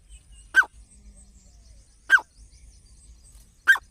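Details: Grey francolin, called teetar, offered as a partridge hunting sound: three clear, short, harsh single notes spaced about a second and a half apart, with little else heard.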